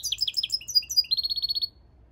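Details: Twittering goldfinch × canary mule: a jumble of quick chirps and short whistles, then a tight run of about ten evenly spaced high pulses before falling silent.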